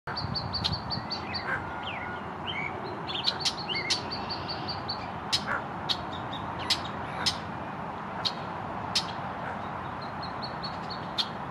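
Hooded mergansers in a family group give high, thin peeping notes in quick runs. Sharp clicks punctuate a steady rushing background.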